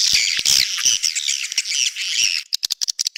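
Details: Edible-nest swiftlet 'outside' sound for swiftlet houses: continuous loud, buzzy squawking chatter. It ends in a quick run of sharp clicks.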